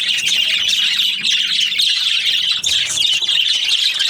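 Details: Budgerigars chirping in the morning: a dense, continuous wash of high, scratchy chatter and squawky notes from several birds overlapping, with a brief dip in the noise just past two and a half seconds.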